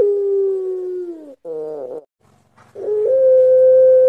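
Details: Barbary dove of the long-voiced pelung style, cooing as a training lure: a long, slightly falling drawn-out coo, then a wavering harmonic-rich phrase, a pause, and a rolling coo ending in a steady sustained note.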